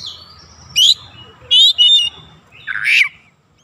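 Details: Oriental magpie-robin on a lure track used to stir other birds into song: a few separate harsh, buzzy bursts with whistled edges, spaced by short pauses, over a low steady background hum.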